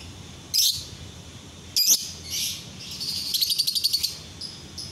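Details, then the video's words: Lovebird giving daytime masteran training song: two loud shrill single chirps, then a rapid run of about eight clipped, high notes in quick succession, followed by two softer chirps. "Masteran lovebird siang hari"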